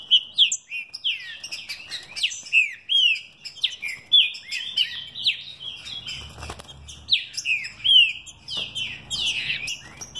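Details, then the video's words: Mutation green-winged saltator kept by a São Paulo breeder sings fibra and velocidade style: vigorous, continuous whistled phrases of down-slurred notes repeated rapidly, with a few soft fluttering or rustling sounds in the cage. "Trinca ferro mutação fibra e velocidade."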